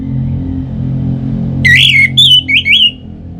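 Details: Orange-headed thrush, its song played to set other kept birds singing: a short run of bright whistled notes, the first falling, then several level and rising slurs, against a steady low droning hum.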